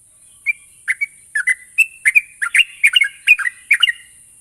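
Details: Sooty-headed bulbul song played as a lure so a bird sings quickly in ngropel style: sparse chirps at first, then building into a fast, bubbling series of liquid notes, with background hiss.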